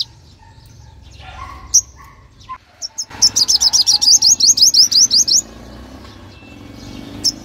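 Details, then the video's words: Sunbird song played to lure wild birds and spur caged birds to sing: a few scattered high chirps, then a fast, even string of about twelve sweeping, high-pitched notes lasting two seconds, then quiet. "Tiếng hút mật 5 màu/chim chuyền gọi bổi"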